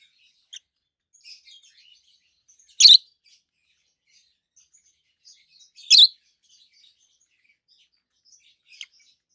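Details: Two pet adult peach-faced lovebirds, both green, one red-faced and one pale yellow-faced, chirping: two loud piercing chirps about three seconds apart among faint scattered ticks and twitters.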